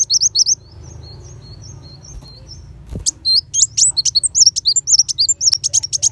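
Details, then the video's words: Sunbird locally called kolibri wulung, recorded as tutor song for white-rumped shama contests. Thin high notes fade, a clatter sounds, then a dense, fast torrent of shrill chirps follows over a low hum. "Pancingan Kolibri Wulung Full Tembakan Besetan Pedas"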